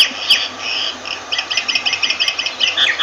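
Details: Myna giving a rapid chattering run of short, ringing, harmonic notes repeated several times a second, some higher and squeakier, over a faint background hiss.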